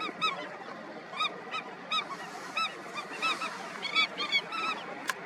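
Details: A colony of Indian skimmers at National Chambal Sanctuary, Dholpur, Rajasthan, India, in February 2021 gives short, nasal, honking yaps at an uneven pace, several birds calling over one another against a steady background hiss.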